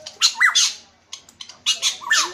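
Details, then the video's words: A brown pitohui from Papua (cocak rotan emas, locally koli-koli), said to be in breeding condition and vocal, gives harsh raspy squawks mixed with rising and falling slurred whistles, about five quick bursts in two seconds, indoors. "Di sini rekan-rekan Nusantara semua bisa melihat kicauannya burung pitohui."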